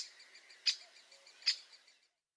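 Great Spotted Woodpecker giving two sharp, explosive 'kik' notes about a second apart, over faint, rapid high ticking in the background.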